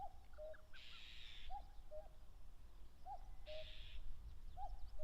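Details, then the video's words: Common cuckoo defending territory on the plains beneath Mount Fuji in late May: a steady run of falling two-note cu-coo calls, about every one and a half seconds, with two buzzy trills in the background. "カッコウ 鳴き声 縄張り争いに忙しい"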